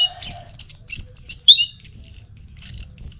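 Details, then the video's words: Orange-headed thrush kept in Singaraja, North Bali, singing its teler song for use as a lure: a continuous run of high whistled notes, some rising, some falling in swoops, delivered almost without pause. "Masteran sekaligus Pancingan Burung ANIS MERAH Agar Selalu Bisa Menikmati Telernya"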